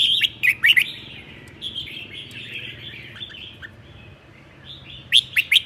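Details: On a cold day in Sơn La, Vietnam, a red-whiskered bulbul delivers ché song. Clusters of sharp, rapid chirps open and close the passage, with softer, lower-pitched chattering in between.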